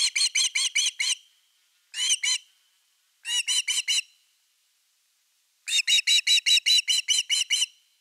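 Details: Osprey at nest #3 on 30 August 2021, calling around an evening fish: four bursts of rapid, high whistled chirps, each about four to eight notes at roughly two per second, separated by silent pauses.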